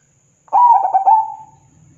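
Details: Perkutut, a zebra dove, in full voice, calling to make rival doves reply: a single phrase of rapid stammered coos that smooths into a long, level, fading coo, with a faint low hum underneath.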